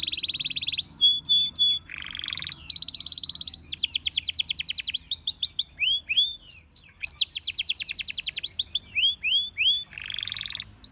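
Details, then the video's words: Varied canary song: a buzzy rattle, clear sustained whistles, fast rolling trills, a series of swooping slurred notes and another buzzy tour, delivered without pause. "Canary Singing Bird Sounds"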